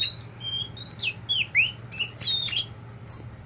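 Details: Very tame pet oriental magpie-robin, kacer poci variety, giving a loose series of whistles: level tones, downward slurs and a rising swoop, spaced irregularly over a steady low hum.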